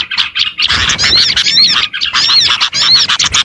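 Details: Lure sound of Oriental white-eyes meant to attract small birds: rapid, high-pitched twittering in bursts, overlapping thin whistles and squeaky trills, with short breaks roughly every second and faint low rumble beneath.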